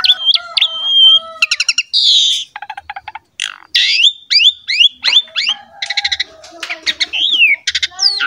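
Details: Vigorous Asian pied starling song played as a tutor for young and communal-cage birds: steady whistles, clicking rattles, a harsh buzz, and varied looping whistled phrases.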